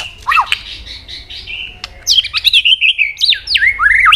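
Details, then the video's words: White-rumped shama singing vigorously to rouse subdued birds. Thin whistles and a low slurred note open the song, which turns into a quick sequence of bright, rising and falling whistled notes and twangy slides. "kích chòe lửa hót cực sung.chòe lửa hót tạch liên tục kích thích chim ức chế"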